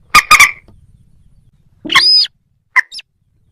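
Moorhen giving two loud, harsh, explosive notes in quick succession, then a longer grating croak and two short clipped notes, with little else in the background.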